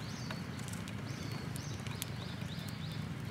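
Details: Sparrows coming to be fed at a Tenmangu shrine on 22 May 2022. A run of short, high chirps repeats quickly over a steady low rumble.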